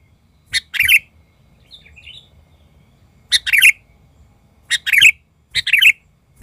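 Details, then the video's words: An agitated sooty-headed bulbul lure bird repeats loud, scratchy double-noted bursts, with a soft warble in a long gap after the first burst and then three more bursts in quick succession. "ketika pikat burung kutilang ngamuk"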